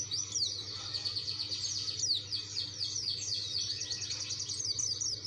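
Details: Dakun white-eye song meant to challenge rivals, heard less cleanly: continuous high, rapid twittering and slurred chirps blurred by a noisy background and low hum.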